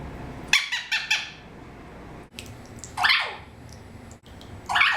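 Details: A pet adult male eclectus parrot, 13 years old and recently adopted, makes a quick burst of four stacked, nasal syllables. Two falling, squawky calls follow, over a steady indoor hum.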